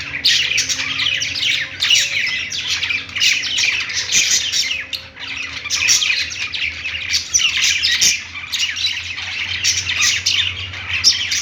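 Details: Budgies in a pet store sing from their perch in a long run of busy, overlapping chirps and chatter, with a faint steady low hum behind the birds.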